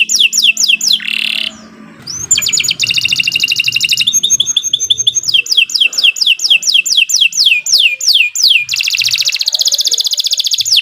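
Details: Canary in full, sustained song for training birds: fast sliding whistles, a short buzzy burst, rolling trills, then more repeated downward slurs and a dense high rattle.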